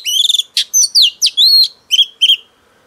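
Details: Newly caught female oriental magpie-robin singing to stimulate males: bright whistled notes, a quick trilled stutter, then sliding and rising whistles and two short clipped phrases, ending in quiet.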